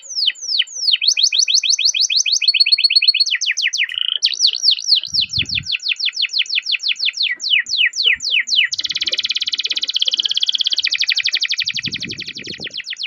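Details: Canary singing a long rolling song meant to prompt other canaries: rapid trills, buzzy rolls and repeated sweeping notes changing every few seconds, with brief low thumps.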